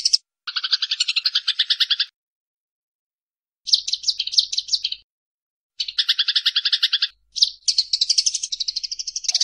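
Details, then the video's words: Eurasian tree sparrows in a fight, tutor sound for songbirds: separate bursts of rapid harsh rattling chatter, each one to two seconds long, with silent gaps between them. "Masteran Burung Gereja Tarung"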